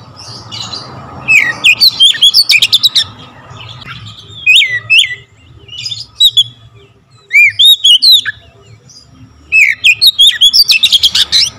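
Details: An Oriental magpie-robin sings a vigorous full-variation fill-in song: bursts of rapid clicks and whistled slurs, a quieter stretch with single arching whistles, then a final dense chattering burst.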